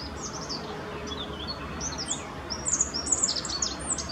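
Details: Rock bunting singing along the Apolloweg at Valwig in Germany's Moselle valley; thin, high twittering notes in short scattered bursts, growing denser in the final second and a half, over a steady low outdoor rumble.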